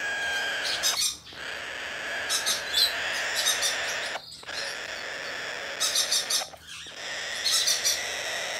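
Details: A domestically bred, hand-tame Blue-eyed cockatoo, 6 December 2019, giving several rasping squawk phrases about two seconds long, each separated by a short pause and carrying harsh high overtones.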